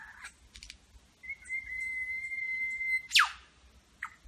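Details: Superb lyrebird in Berowra Valley National Park copying local birds such as the eastern whipbird. A long, steady whistle is held for nearly two seconds, ending in a loud, whip-like downward crack, then a short call.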